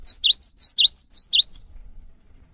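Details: A cinereous tit gives a lure song meant to set other cinereous tits singing: rapid, high, ringing two-note phrases, repeated about every half second for three rounds, then quiet.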